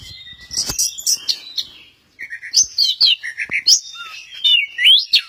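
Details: At Kesamben, an Orange-headed thrush performing the 'goyang inul' pours out varied song: high chattering bursts, a short silence, then clear lower whistled notes and rising slurred phrases.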